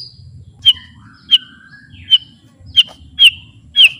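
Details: White-rumped shama song used as master training: short sharp downslurred notes about every half second, with faint thin whistles between them.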